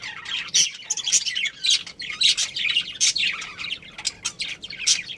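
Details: Budgerigar family and breeding pair in a colony, calling busily: rapid, uneven run of buzzy chirps and bright peeps, several birds overlapping in a lively twittering chatter.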